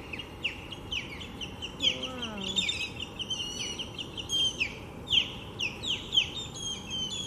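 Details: Osprey pair on a nest with three chicks at Lake Seminole Park, Seminole, Florida, calling while fending off an intruding osprey: rapid series of high, whistled, downward-slurred chirps, irregularly repeated, with a brief human voice near the middle.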